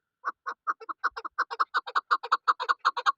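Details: Female hill chukar partridge, a local bird kept for luring others in hunting: a quick run of dry, clucking 'chuk' notes, about fifteen in three seconds, often paired and speeding up slightly, with no other sounds.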